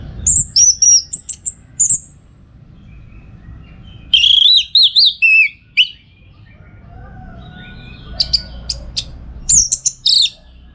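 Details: Orange-headed thrush song for contest training: varied high whistles, trills and squeaky phrases in three separate bursts, with low background hum between them.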